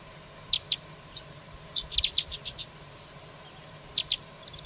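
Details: Carrizalero song with sharp, high, clipped notes given in pairs, a brief rapid series of chirps near the middle, and another pair at the end, set against a constant low hum and faint background noise.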